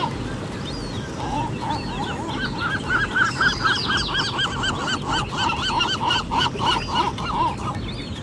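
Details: Morning seagulls at Mission Bay Beach, California, on the Pacific shore, recorded with an Olympus PEN E-PL9. Quiet single notes build into a fast, rhythmic string of ringing, bowed cries. Fainter high calls and a steady sea roar sit underneath.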